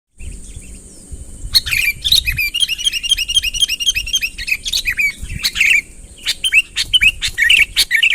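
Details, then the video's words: Sooty-headed bulbul calling to lure a rival closer: after a quiet first second and a half, rapid chirpy whistled notes arrive in dense bursts, several per second, over a steady high hiss and faint low rumble. "suara burung kutilang ASLI tanpa isian, gacor memanggil lawan mendekat"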